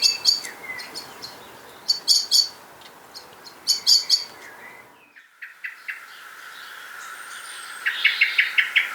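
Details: Eurasian Blackbird in a Hampshire, UK garden giving its noisy, continued metallic 'pit' alarm notes in quick clusters, repeated about every second, over a steady background hiss.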